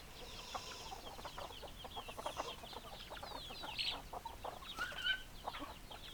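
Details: Chickens cluck in a steady overlapping stream of short notes, with a few louder, higher squawks standing out over a constant background hiss.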